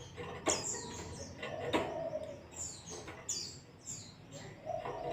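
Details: White-eye song in the ngalas style, used as a training recording to prompt a kept white-eye to sing: high, thin notes sliding downward, spaced irregularly between sharp clicks, with a lower warbling tone around the middle.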